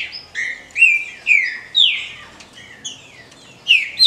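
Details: Kept female rufous-bellied thrush calling to stimulate males, sharp slurred whistles and chirps in an uneven stream, several loud downward-sweeping notes, a brief gap, then more chips.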